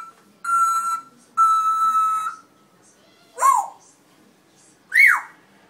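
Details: Red-tailed African grey parrot giving two long level whistles, then two quick arching whistled notes that rise and fall, each separated by short pauses.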